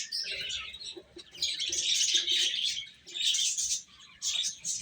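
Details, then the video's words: Baby chickens chirping while eating: a dense, continuous chorus of shrill high peeps, swelling in bursts and dipping briefly around the three- and four-second marks, with faint low clicking underneath. "Cute Chicks Chirping Sounds | Little Baby Chicken Eating"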